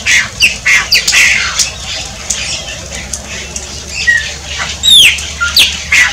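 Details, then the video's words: Shiny cowbird song of liquid gurgles and squeaky chirps, with a clear falling whistle near the end and repeated sharp high notes, against faint low background noise. "CANTO DO CHUPIM"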